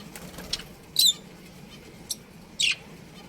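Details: Pet budgerigars from a breeding pair chirping: a few loud, harsh high chirps spaced apart, with fainter ticks and twitters between them over a low hum.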